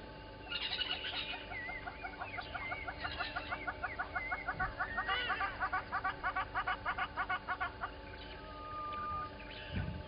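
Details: Little grebes at Gowrie dam in the Sabi Sand Wildtuin, South Africa, on 10/08/20; a long, rapid trill of evenly spaced pulsed notes swells and fades over about seven seconds, with sliding whistles of other birds near the start.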